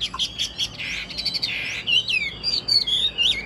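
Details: Caged Chinese hwamei offered for sale, praised as singing well with a proper full song: loud clear whistled notes sliding up and down, with a buzzy, steady-pitched phrase in the middle, then quick warbled slurs.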